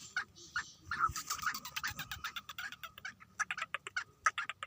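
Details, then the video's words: Eight-month-old black francolin, locally kala tetar, frisky, utters scratchy rasping notes in irregular bursts that quicken into a rapid chattering series near the end. "Tetar/8 Maheeny ka patha masti karty hue_काला टतार _black Patridge _black francolin"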